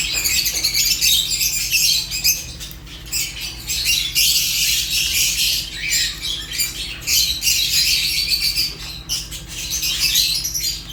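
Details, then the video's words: Continuous shrill chattering of Fischer's lovebirds: rapid, scratchy high-pitched chirps and squawky notes piling over each other, briefly easing around two and six seconds before swelling again. "African lovebirds chirps sounds"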